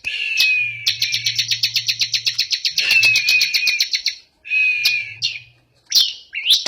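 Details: Energetic ciblek, the bar-winged prinia of Indonesia, delivering a fast series of dry ticking notes followed by thin sliding whistles and short buzzy bursts, with a faint low hum in the background.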